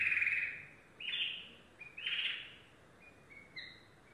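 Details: Yellow domestic canary giving short separated song fragments: a bright trill, two upslurred whistles, then a few thin higher notes, with quiet pauses between.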